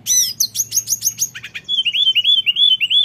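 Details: Lesser shortwing, tledekan gunung, rolling its song in ngeroll fashion: a burst of high rattling notes, then a rapid chain of short, evenly repeated rising whistles, about three per second, over a faint low hum.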